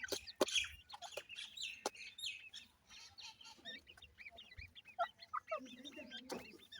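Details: A brood of grey francolin chicks peeping, with soft scattered chirps at first and then clearer, arched, upward-curving peeps, plus a few sharp knocks.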